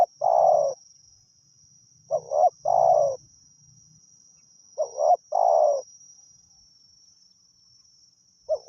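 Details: Spotted dove, a wild forest bird, cooing during decoy luring in Thailand. A long coo opens the clip, then two-part phrases of quick notes plus a sustained falling coo are spaced about three seconds apart. Faint low rumble and a steady high whine are also heard.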